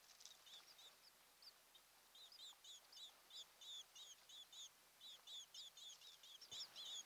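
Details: Nest-camera recording of an osprey couple on Kent Island, Maryland, 26 June 2018, morning: a run of piercing, repeated whistled chirps, some doubled, growing louder toward the end, with one brief knock and a low constant hiss.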